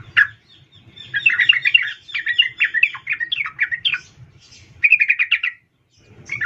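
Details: A female sooty-headed bulbul calls to a male with a sharp opening note, a tumbling run of mixed chirps, a short quick rattle, and a final note after a gap; faint low hum.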